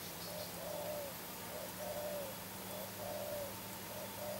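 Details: Dove kept as a decoy bird for luring: short, soft coos repeated about every second, single notes alternating with longer drawn-out slurred coos, over a faint steady hum.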